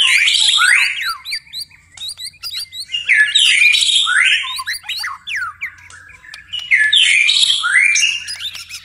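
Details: A white-rumped shama sings through the night in rhythmic phrases of sharp clicks, rapid whistles and loud buzzy swoops, repeated in three main bursts with quieter notes between, low hum beneath.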